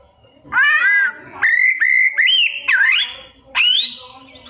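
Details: White-rumped shama, locally called kacer, kept as a songbird and mimicking other birds: long loud whistled notes, some level, some rising or bending, separated by short pauses.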